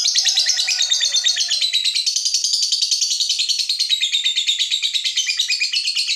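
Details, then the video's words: Lovebird giving a long ngekek trill, used to stimulate other lovebirds to sing: a rapid, continuous run of high buzzy chattering notes sustained for over six seconds without a break. "Berkat Pancingan SUARA BURUNG LOVEBIRD INI, Labetmu dijamin GACOR tak lagi Malas DIAM MEMBISU"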